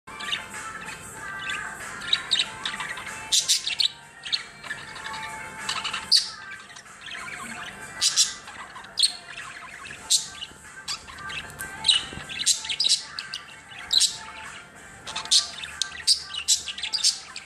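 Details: An excited pet budgerigar, which livens up whenever music plays, warbles in quick chirps, clicks and squeaky notes, with soft music in the background.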